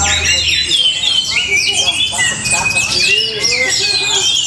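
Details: Orange-headed thrush from Bali giving a busy, varied song: quick rising and falling whistles, buzzy phrases and clear sliding notes packed tightly together without pause.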